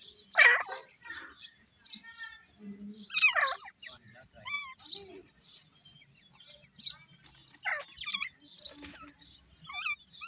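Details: Fighting dakhni teetar chicks, young grey francolins, give loud harsh squawks, then thinner wavering whistled chirps spaced a second or two apart, with light rustling underneath.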